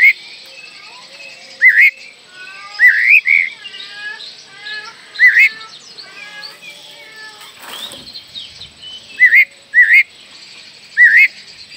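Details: Oriental magpie-robin song, a lure to make young magpie-robins sing quickly: repeated short upslurred whistles and chattering notes over constant high hiss, with a brief noisy burst in the middle.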